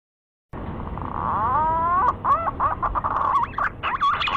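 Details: Green pigeon (punai) calling with a series of clear whistled notes that rise and bend, running into a quicker warbling, wavering phrase of looping whistles toward the end.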